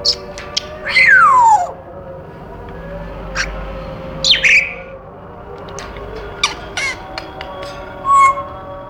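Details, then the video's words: Caged pet African grey parrot: a long whistle falling steeply in pitch, scattered clicks and a short buzzy chirp, ending with a brief level whistle, over a faint continuous hum. "the African Grey sounds"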